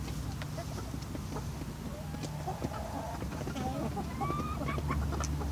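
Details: Australorp and Barred Rock hens at their evening feed, which has a little moisture, utter irregular soft clucks and a few thin rising squeaky notes, with pecking clicks and a steady low hum behind.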